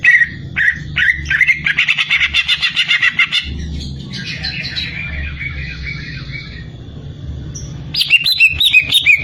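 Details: Greater green leafbird giving short bursts, then a fast run of repeated chattering notes, softer warbled phrases, and another quick burst at the end.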